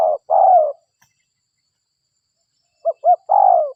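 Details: Spotted dove used as a lure: a long coo, a quiet pause of about two seconds, then two quick soft coos leading into a longer falling coo.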